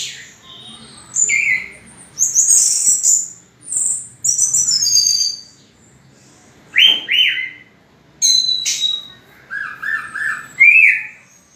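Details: Orange-headed thrush song, used as a lure to stimulate other birds to sing: bright, varied high phrases of whistles and sharp chirps in short bursts separated by brief pauses, some notes dropping in pitch, no other clear sounds.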